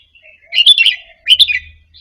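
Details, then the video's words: Red-whiskered bulbul of Indonesian type, caged, practising a doubled phrase quietly. Two rich, rolling, bright chirped phrases come in quick succession, with a faint low hum beneath. "นกกรงหัวจุกอินโดหัดเบิ้ลปากเบาๆ เปิดกระตุ้นนกคึก นกร้องตาม"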